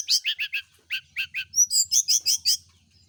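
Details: In the morning, a Brown-chested jungle flycatcher is put out in the dew to encourage frequent singing. Rapid, rhythmic run of about a dozen high chirped notes, with a brief pause and a whistled note before a brighter, quicker second phrase.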